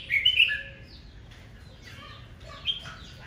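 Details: Red-whiskered bulbul singing fiercely in the morning in a competitive song: one loud, warbled, chattering phrase of quick slurred notes, then fainter twittering from other birds.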